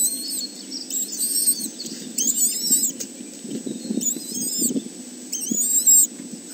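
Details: Three kestrel chicks in a nest at Arne reserve, picked up by webcam on 30 May 2013: high, wheezy, harmonic squealing calls in bursts of about half a second, repeated four times over a low, steady background hum.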